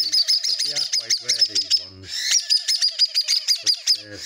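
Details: A baby cockatiel (Nymphicus hollandicus), already fully weaned, still begging for food: rapid, high, scratchy chirps, several per second, in an unbroken run, with low music and a voice underneath.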